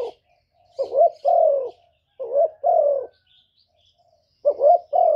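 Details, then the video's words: Spotted dove in 'thổ thúc' style, cooing and calling to challenge wild birds: three phrases of a quick rising hoot joined to a longer falling coo, faint high chirps in the background. "cu gáy giọng thổ thúc gù + gáy gọi giọng rất chuẩn để kích bổi"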